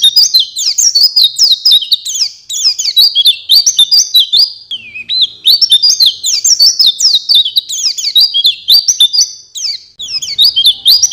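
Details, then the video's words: Oriental white-eye training song, continuous high-pitched warbling twitter of quick slurred chirps packed closely together over about eleven seconds, with only short dips in loudness. "The Best Masteran Pleci"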